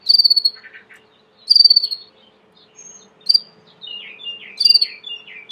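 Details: Belgian canary, a domestic canary, singing short bursts: bright high chirpy phrases separated by pauses, with a lower buzzy trill and fast descending notes toward the end; a faint steady low hum underneath.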